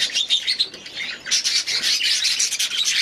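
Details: Aviary budgerigars warbling in quick, bright, buzzy chirps, a brief pause, then a sustained run of overlapping high twittering notes.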